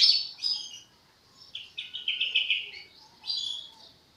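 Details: Juvenile European goldfinch working out its song during the song-forming stage, a quieter run of high twittered phrases, a rapid string of chirps in the middle and one more sweet burst afterward, with clean surroundings.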